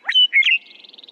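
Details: Western Meadowlark song: a brief burst of clear, fluty whistled notes that rise sharply, then trail off in a soft, fluttering series.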